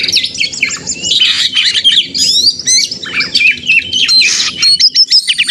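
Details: White-rumped shama (kacer) fighting song used as a lure to provoke other shamas into singing: dense, varied whistles, chattering and rapid trills, continuous and loud.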